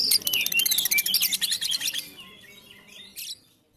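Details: Female Tambak Peluru lovebird from Comal, Pemalang, pours out two seconds of dense, shrill, rapid chirping that fades to softer twitters and one last brief squeak.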